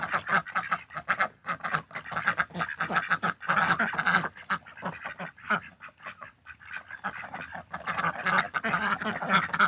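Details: Backyard domestic ducks, six hatched by the keeper, mating in spring; dense raspy quacks overlap in rapid bursts throughout, with brief pauses near the middle, a loud chorus of several birds.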